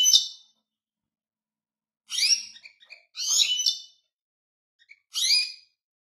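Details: Sharp, high goldfinch twitters in short bursts, some with a buzzy edge, separated by gaps of up to one and a half seconds, with isolated soft chips between them.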